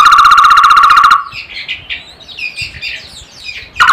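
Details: Opening with a steady, loud pulsed trill from a barbet lasting about a second, then a stretch of scattered high chirps, and the trill starting again right at the end.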